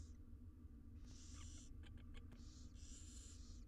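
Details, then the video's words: Feeding time for six wild barn owl nestlings in an Israeli research nest box; long screechy begging hisses, some lasting over half a second, with a few sharp clicks and taps between them, over low hum. "All 6 barn owl nestlings get fed insnside nesr box"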